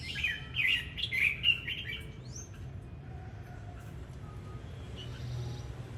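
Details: Red-whiskered bulbul singing and displaying: a brief burst of quick warbled chirping notes lasting about two seconds, one high slurred whistle, then low background noise.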